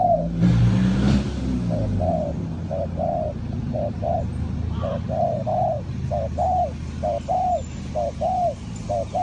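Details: Spotted dove calling to lure wild doves into a trap: steady series of soft, low coos with slight downward bends, roughly once a second, over constant broadband background noise and a brief louder sound near the start.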